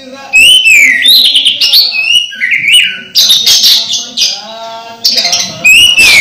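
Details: A near-moulting Orange-headed thrush sings on with gusto, mixing clear downslurred whistles, buzzy warbles and scratchy twitters in an almost continuous, varied stream.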